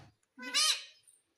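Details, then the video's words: Rose-ringed parakeet, a talking ringneck, saying "mummy" in a single short mimicked word, harmonic-rich and bright, rising then falling, with no other sounds around it. "Mummy Bolne Wala Parrot _ Talking Parrot _ Ringneck Parrot"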